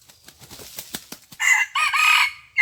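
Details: Red junglefowl crowing on the morning of 27 January 2021 during a decoy contest against a wild rival: soft rustles and clicks, then a loud harsh crow in two broken, rising-falling phrases and the start of another.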